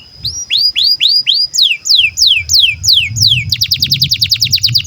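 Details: Canary in breeding condition singing, a recording used to train young birds: rapid series of bright descending whistled sweeps, first slower then speeding into a fast trill of falling notes near the end; faint low hum beneath.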